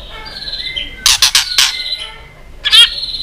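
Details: White-rumped shama competition song: thin sustained high whistles overlapped by a series of harsh, raspy bursts, then a buzzy trill blending into a steady whistled note.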